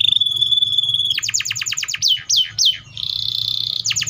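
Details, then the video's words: Canary song opening with a held high whistle, then a burst of fast descending sweeps, a few slower swooping notes and a steady buzzy trill. "THE VOICE OF THE CANARIA SERINUS"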